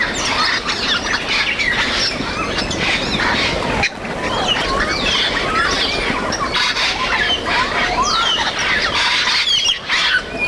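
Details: Flock of wild grey parrots (Psittacus erythacus) foraging and flying in Cameroon keeps up a dense chorus of harsh squawks and fluting, bending whistles, with a steady rushing noise underneath.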